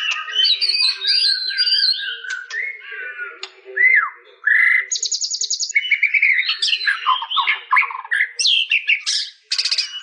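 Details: White-rumped shama, mastered recording, pouring out a rich varied song: fluty slurred whistles, a fast rattling trill, sharp clicks and buzzy high notes, changing pattern every few seconds.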